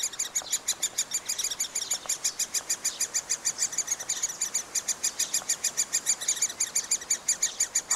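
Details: Young middle spotted woodpeckers being fed in their nest hole, filmed with a Panasonic FZ2000 camera: a dense, continuous volley of shrill squeaks, around six per second, loud and unbroken.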